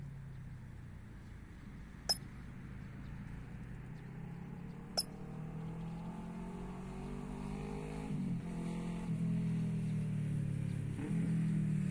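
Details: Only a low engine rumble with shifting tones and two sharp metallic clinks are heard, with no clear animal voice.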